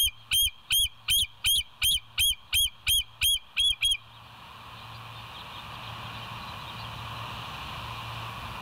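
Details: High piping chatter from a bald eagle at West End, live cam, 28 August 2023 around 07:02: about ten sharp whistled notes in four seconds, then only a steady low hum.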